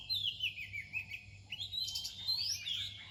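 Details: Oriental magpie-robin singing near dawn: a fluent run of high, clear whistled phrases sliding down and then rising again, with quick varied twitters, over a low steady rural hum.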